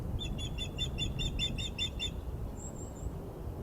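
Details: Around eight quick, sharp whistled yelps from a female osprey displeased by an unringed male on the Glaslyn nest perch, 14 April 2021, followed by a thin high drawn-out whistle.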